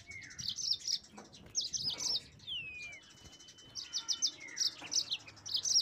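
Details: Yellow-fronted canary in lively song aimed at drawing rivals into singing: clusters of high, crisp chirps repeated in quick groups, broken by a drawn-out falling whistle and a faint sustained tone.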